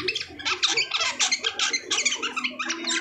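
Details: Asian pied starling after moulting, delivering rapid, raspy chattering bursts with squeaky whistled accents, the phrases tightly packed and loud.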